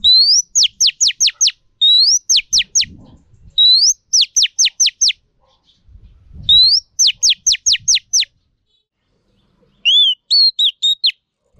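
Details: Female Oriental magpie-robin's rousing song used to train males: repeated bursts of a short rising whistle followed by a rapid string of sharp descending whistled notes, ending with a softer wavering warbled phrase; quiet low thumps in the gaps.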